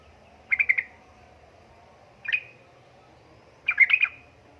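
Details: Sooty-headed bulbul female calling a male: three bubbly chattering bursts, each a quick cluster of notes, separated by pauses of over a second against a quiet background.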